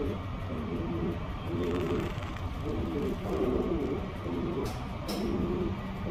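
Pigeons give low, soft, throaty coos in rolling phrases about every two seconds, over a steady low background rumble.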